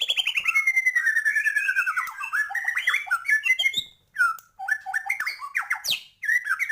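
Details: White-rumped shama pouring out a busy song of filler phrases: a long descending twittering run, then choppy whistled notes and clipped chirps separated by brief gaps.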